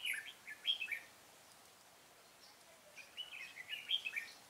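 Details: Red-whiskered bulbul used as a decoy to lure wild bulbuls into a trap, recorded 25 April 2017: two bursts of quick, bubbly warbled phrases with bright upslurred notes, separated by a quiet gap of about two seconds.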